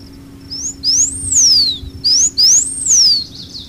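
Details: Blue finch, also called campainha-azul or cidrinho, a Cerrado bird of open grassland with shrubs and low trees; thin high whistled phrases, each a short rising note then a long arching slur sweeping up and down, given twice.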